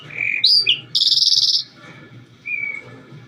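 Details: Calandra lark song: a whistled note and sharp high chips, then a dense buzzy rattle lasting over half a second, ending with a thin level whistle. A soft low rumble sits underneath.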